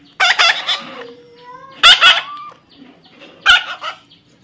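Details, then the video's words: Young parrot during taming, three bursts of grating, broadband squawks, each a quick double or triple note, separated by soft whistle-like tones and quiet pauses. "natural funny parrot sound"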